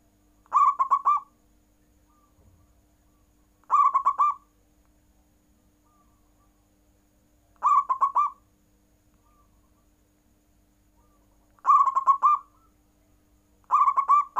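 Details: Kept zebra dove (perkutut) giving full nggayer coos that prompt rival birds to answer: short rolling coo phrases repeated about every three to four seconds, five in total, with quiet gaps between them.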